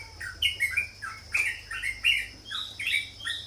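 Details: Sooty-headed bulbul calling in short loud phrases of two or three bubbly, down-slurred chirps, evenly spaced, with a steady faint whine beneath.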